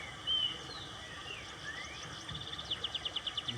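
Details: A sabiá thrush in Bosque da Princesa park, Pindamonhangaba, Brazil, by water, sings a clear high whistle, then slurred notes and a quick run of about eight sharp chirps, over a steady rush of running water.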